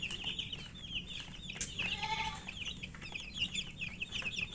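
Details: Chirping chicken chicks at their food: rapid high peeps from several birds, a brief lower, harmonic-rich call near the middle, sharp tapping sounds and a constant low hum.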